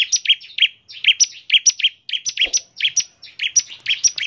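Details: Bar-winged prinia in full 'ngebren' song, played to prompt other prinias to sing quickly: a fast, unbroken string of sharp two-part chirps, a high note then a lower rich one, repeated about twice a second.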